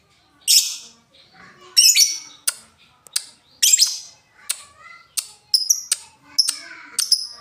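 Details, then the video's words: Lovebird calling in a sequence described as ngetik, ngoek then ngekek: sharp high clicking chirps and short harsh squawks spaced irregularly about every half second, with brief buzzy bursts. "LOVEBIRD NGETIK NGOEK LANJUT NGEKEK"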